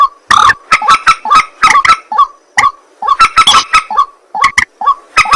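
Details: White-breasted waterhen at night giving rapid, harsh croaks mixed with short, ringing nasal notes, delivered in quick irregular bursts separated by brief gaps.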